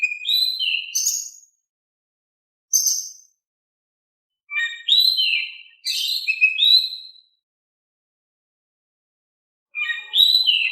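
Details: Oriental magpie-robin singing in a calm style, used as a lure to prompt other magpie-robins to answer: clear whistled phrases with sliding, falling notes, delivered in short bursts separated by silent gaps of a second or more.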